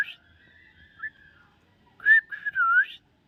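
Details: Common myna uttering a faint drawn-out level whistle, then a louder burst of a rising note and a dipping, wavering whistle.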